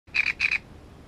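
Great reed warbler giving two harsh, grating double notes in quick succession, a croaking 'karr-karr' fragment of its song, over a faint low background hum.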